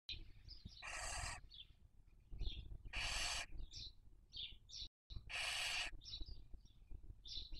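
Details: Barn owl family at a webcam nest, Cabañeros National Park, Castilla-La Mancha, Spain, 2023 breeding season. Three rasping screeches about two seconds apart, interspersed with many short high-pitched chittering notes.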